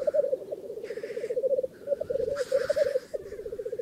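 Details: Close black grouse at a northern England lek: loud, rhythmic, rolling bubbling phrases with short pauses, and two strong breathy hissing sneezes.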